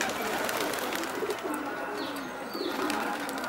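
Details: Pigeons kept by fanciers in Kabul, Afghanistan; low, soft, rounded cooing phrases rise and fall near one and a quarter and two and three-quarter seconds over steady broadband background hiss, with faint higher chirps.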